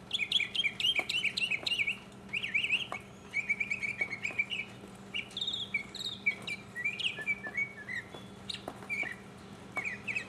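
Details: Solo mockingbird in 2015 repeating each phrase several times before moving on: looping chirps, a run of quick even notes, then softer varied whistles, with a low hum beneath throughout.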